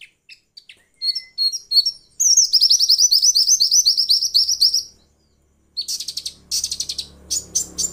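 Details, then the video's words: A female white-eye, used as a lure to provoke males into singing, gives high, rapid twittering phrases: scattered thin chirps, then a long fast warble, then bursts of bright chattering notes; no other sounds. "masteran pleci untuk merangsang bunyi pleci ombyokan"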